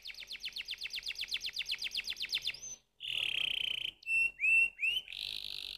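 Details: Canary song opening with a fast run of about eighteen sharply descending whistled notes, followed by a harsh buzzing roll, short upswept whistles and a steady high trill.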